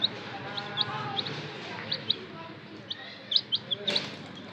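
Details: Chicks giving scattered high, short peeps over a noisy background with faint murmuring voices; a quick cluster of four peeps comes near the end before a brief rustle.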